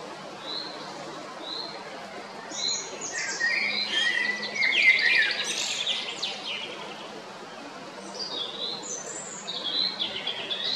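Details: Singing male Eurasian blackbird, Jarun, Zagreb, Croatia, 22 April 2021; quiet opening notes building into a dense mellow warble with squeaky high flourishes, then further whistled phrases after a lull, low hum throughout.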